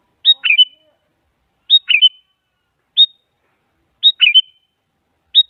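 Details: Sooty-headed bulbul song used as a lure to make quiet bulbuls join in: short, clear, bubbly phrases of a high note then slurred falling whistles, repeated about every 1.3 seconds, against a clean, quiet background.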